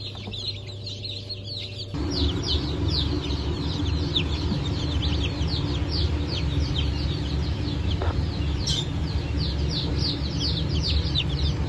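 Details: Chickens of the Brahma, Fizan, Sultan and Appenzeller breeds from a new hatch on 9 May 2024. Many high, thin, down-slurred peeps overlap continuously over a steady low mechanical hum.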